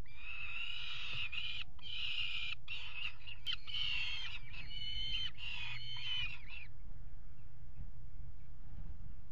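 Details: Peregrine falcons pairing on a nest ledge, water tower in Axel, Netherlands, February 2018; strained, buzzy wailing calls run for about seven seconds, then stop, leaving only low mechanical hum.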